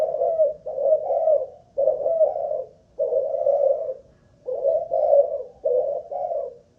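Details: Captive Malaysian-line spotted dove kept as a ground decoy, cooing during a stamina test: low, husky coos in repeated two- and three-note phrases, each about a second long, separated by short pauses in a quiet indoor setting.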